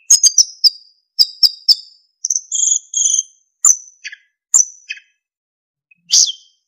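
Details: Narcissus flycatcher (sikatan emas), a kept songbird singing a tutor song for training other songbirds, full of fill-in phrases and clear flute-like notes: bursts of very high sharp chips, then steady whistled notes and brief buzzy notes with pauses.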